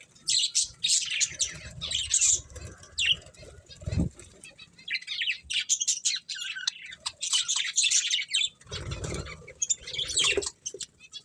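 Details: Budgerigars chirp in busy high warbled bursts while wings flap and low rustling thuds come and go; chattering pauses briefly and resumes.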